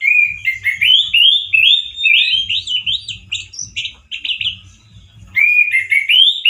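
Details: Caged male orange-headed thrush singing loudly and harshly, like a wild bird: a run of rich whistled phrases rising and falling, some slurred upward, delivered in quick bursts with brief pauses and a faint low thumping underneath.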